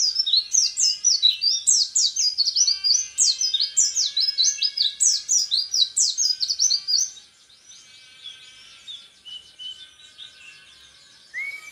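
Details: ["Rapid 'tembakan repet' singing from an orange-headed thrush, a hopeful national champion: about seven seconds of loud, tightly packed high chirps and whistles, then quieter scratchy twittering and a soft rising note at the end."]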